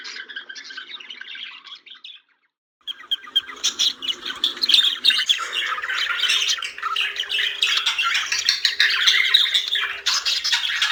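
Budgerigars warble and chirp in a busy, scratchy stream of rapid notes and squawks.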